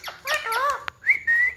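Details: Talking pet ringneck parrot in a room: a burst of voiced, speech-like syllables with bending tones, a click, then a rising whistle that levels into a steady held whistled note.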